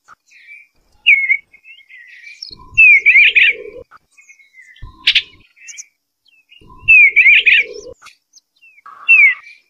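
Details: Eastern bluebird singing: short bursts of soft, slurred warbling whistles with curving notes, phrases arriving every two to four seconds with quiet gaps between, a sharp click near the middle and faint low rustling beneath.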